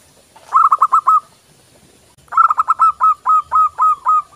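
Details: Local zebra dove song used as a daily training and lure recording: a quick run of five soft, rolling coos, a pause, then a longer phrase of about nine coos that gradually slows.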